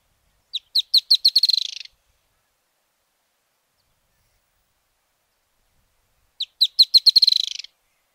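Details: Narrow-billed Woodcreeper in Argentina giving two short accelerating songs several seconds apart, with sharp high notes quickening into a fast rattling trill that trails off; nothing else heard.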